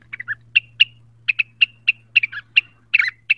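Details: Excited cucak wilis song aimed at a rival: crisp, separate chirped notes, some with a short whistled tail, spaced about a quarter second apart over a steady low hum.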